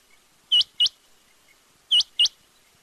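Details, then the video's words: Quail giving two pairs of loud, high, upward-hooked chirps about a second and a half apart, otherwise quiet. "batair ki awaz|quail sounds"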